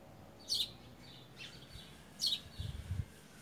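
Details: Creamy-bellied thrush, wild, eating fruit in a garden on 18 September 2018 at 14:33, recorded by smartphone. Two bright chirps nearly two seconds apart with a softer note between, followed by low thumping handling noise.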